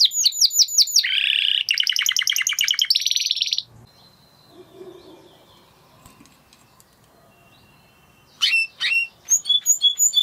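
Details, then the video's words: Spanish Timbrado canary singing rapid high trills and buzzy rolls for over three seconds, then a quiet pause with faint background, before short clipped high notes resume near the end. "Canary Sound Effect - Canary Singing Video"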